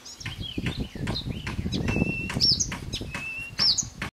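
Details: Blyth's reed warbler (Acrocephalus dumetorum) sings a varied run of short chirps, sharp clicks and clear level whistles, with a steady low rumble of wind beneath.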